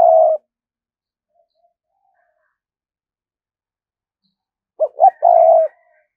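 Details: Lure spotted dove cooing thúc gù: the tail of a low coo, a quiet gap of about four seconds, then a clear phrase of two short notes and a sustained low throaty coo.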